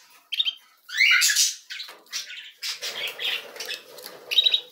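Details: Canary chicks being fed, giving bursts of high, harsh, rapid begging chirps in quick runs, some broad and squawky, with short pauses between bursts.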